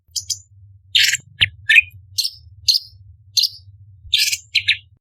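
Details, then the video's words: Cucak cungkok, orange-bellied leafbird, giving scattered short chirps and harsh bursts at irregular intervals, part of a spicy 'tembakan' tutor song for contest birds. "Cucak Cungkok Istimewa ~Tembakan Istimewa Pedas - Burung Masteran Lomba - Orange Bellied Leafbird"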